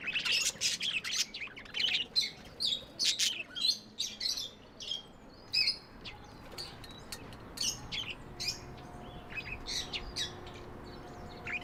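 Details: Tame pet budgies chattering, loud rapid bursts of high sharp chirps and clicks at first, thinning after about six seconds into sparse softer chirps over a faint hum.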